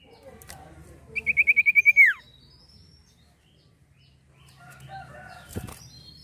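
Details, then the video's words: Common iora in full song, used as a lure for birds: a quick burst of about nine clear, evenly spaced whistled notes on one pitch, ending in a sharp downward slur, then near silence with a soft rustle. "sirtu gacor atau cipoh gacor"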